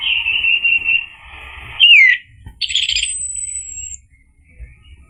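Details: Orange-headed thrush singing, used as a lure so another thrush answers. A warbled opening leads to a sharp, falling slurred whistle, then a burst of harsh notes and a long, thin, very high whistle.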